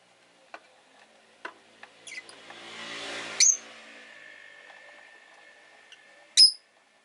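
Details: Rosy-faced lovebird on a relaxed, leisurely afternoon: a few scattered soft ticks and a low murmur of background noise, then two sharp, harsh high chirps, one midway and one loud near the end.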